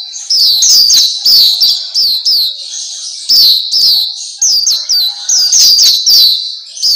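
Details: High-pitched, energetic twittering of a black-capped white-eye, known locally as Pleci Papua, used as masteran tutoring for caged birds; quick chirps come in closely packed bursts throughout.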